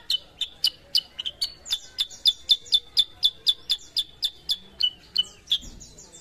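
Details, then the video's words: Sooty-headed bulbul, an untrained bird being brought into frequent singing: continuous rapid bright chips, about three per second, some with a short downward slur, steady throughout. "KUTILANG SUTRA BAHAN JADI GACOR"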